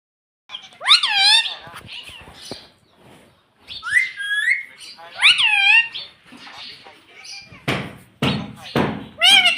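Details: Pet ringneck parrot mimicking human speech, repeating "mommy": a series of bright, harmonic, rising-then-falling squeaky syllables in bursts, with quieter chatter between and a few sharp clicks near the end.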